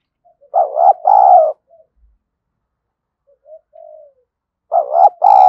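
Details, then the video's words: Spotted dove used as a decoy to attract wild doves. Two loud double-coo phrases several seconds apart, with quiet short coos between them and a brief crackle at the very end. "Chim Cu Mồi_cu gay kich boi nhanh noi gù"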